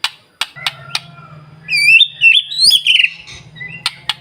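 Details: White-rumped shama singing as a morning lure for other birds: a few sharp clicks, then a bright, high whistled phrase with a short warble, over a faint low electrical hum.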